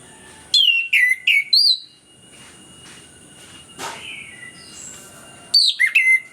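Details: Orange-headed thrush in full song, used to coax lazy birds into singing: a quick string of four descending whistled notes, a long gap with faint soft sounds, then another rapid cluster of high chirps.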